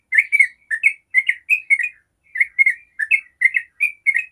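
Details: Yellow-vented bulbul in long 'ropel' song, used to prompt other bulbuls to reply: two bursts of liquid, slurred chirps separated by a short half-second pause, then the rapid warbling resumes.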